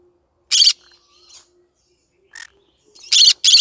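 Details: Pet green-cheeked conure of the yellow-sided colour form, vocalizing in the morning: short, harsh, loud squawks, some in quick pairs, separated by pauses, with a few softer chatter notes between them.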